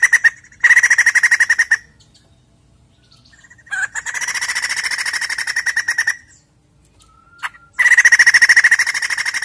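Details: White-crested laughingthrush in a lure recording of loud singing: three bursts of rapid, evenly pulsed ringing notes, each lasting one to two seconds, separated by short silences.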